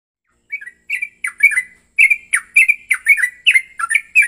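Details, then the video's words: Male yellow-vented bulbul's aggressive fighting song, used as a lure to provoke another bulbul into singing: after half a second of silence, bubbly, slurred chirps follow in quick, uneven bursts, roughly two notes each second. "trucukan gacor TARUNG EMOSI BUAT pancingan trucukan agar bunyi"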